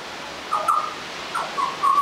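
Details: Young Australian butcherbird practising its song, giving a few short whistled notes, one sliding downward, others held level, separated by brief pauses against a hissy background.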